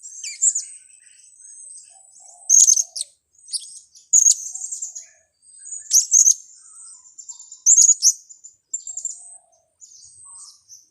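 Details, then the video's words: Blue-crowned hanging parrot calls used to lure birds for trapping: loud, shrill high chirp bursts repeated about every one and a half to two seconds, with faint thin twitters between them. "Pelapis pikat"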